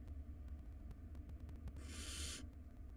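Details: A single rasping hiss-screech of about half a second from barn owl nestlings squabbling over a big rodent in a wild nest box, set against steady low rumbling hum and soft clicks.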